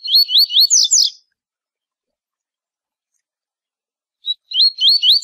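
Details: Rusty-collared seedeater giving the tui tui zel zel song, used as a tutor for young birds: a phrase of rapid rising whistled slurs ending in buzzy notes, a pause of about three seconds, then a short note and the phrase again.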